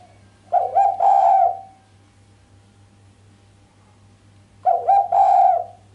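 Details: Two sharp coos from a female island collared dove, which lack the final 'kuk' and rouse the male; each is a short double note run into a drawn-out tone, about four seconds apart, with a faint low hum.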